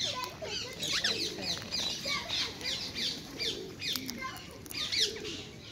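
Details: Rose-ringed parakeets in London's Hyde Park, wild birds being hand-fed seeds, nuts and apple, squawk in a run of short, rasping shrieks roughly every half second, with soft voices and low rustling underneath.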